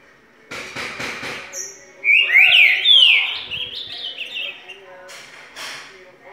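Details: Green-winged saltator, wild-type (true) bird, singing one rich, slurred, whistled phrase of rising and falling notes lasting about a second, after several dry, noisy bursts.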